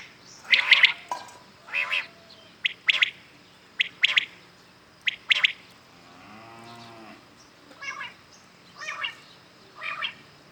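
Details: Common quails calling in the morning with short staccato triple notes in quick succession, then a soft lower drawn-out sound and more distant quail phrases.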